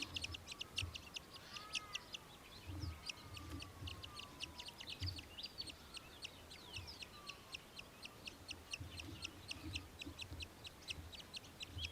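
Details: In Victoria, Australia, during December 2023, an Australian hobby chatters in a long, steady string of sharp, high clicks, roughly three or four a second, against a soft low hum and faint whistles.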